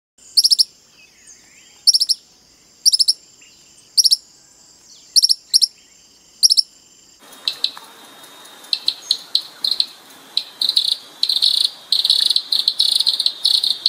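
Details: Common tody-flycatcher uttering crisp, high double ticks in short bursts about once a second for seven seconds, then a busier stretch of rapid ticks mixed with a dense chorus of other high chirping birds.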